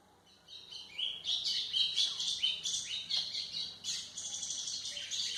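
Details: White-throated seedeater song for tutoring young birds, beginning after a short quiet start with rapid, high chattering phrases and short upslurred notes strung together.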